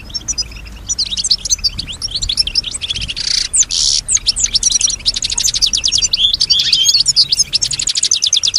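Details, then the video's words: European goldfinch, female, singing with strong stimulation and imitating other sounds: a long, dense stream of high twittering notes, two harsh buzzy rasps early on, then rapid even trills to the end. "Solutions to keep your goldfinch healthy and singing with strong stimulation"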